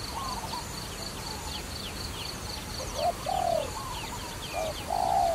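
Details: Dove heard in a trapping setting, with soft distant cooing at first, then nearer short-and-long coo phrases toward the end. Rapid high chirps from other birds continue over a hissy background.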